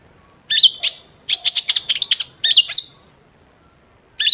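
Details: Long-tailed shrike singing, a recording meant to coax other shrikes into song: after a pause comes a fast string of rasping notes, then paired looping whistles, then quiet before another note starts.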